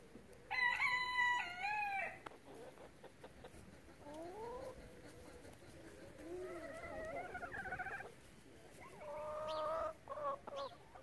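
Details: Relaxed chickens give several separate drawn-out, rising and bending calls, some loud and clear, separated by quieter clucking and brief pauses.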